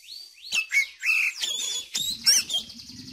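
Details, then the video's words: Oriental magpie-robin song used to prompt young birds to sing: a rich run of whistled and scratchy phrases swooping between mid and high pitch, with a few short buzzy notes near the end. "Pancingan Kacer Cepat Buka Paruh, Terbukti Manjur Untuk Masteri Kacer Muda"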